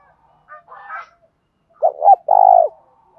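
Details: Decoy spotted dove giving a provincial-style fighting call: soft scratchy notes, then a loud phrase of two short coos and a long low drawn-out coo.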